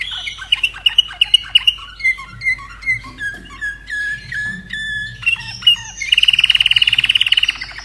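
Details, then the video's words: Caged common nightingale in Austria, hatched in 2011, sings a varied phrase of short, clipped high notes and slurred whistles, some falling in pitch, ending in a rapid, loud, even trill of repeated notes, with a faint background hum. "Mein Slavujar Singt ein kleines Lied"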